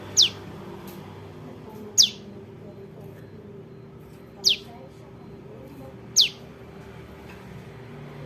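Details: Young prinia calling, a sound used to lure birds into traps: four short, piercing, downward-sliding notes about two seconds apart, with a faint steady hum underneath.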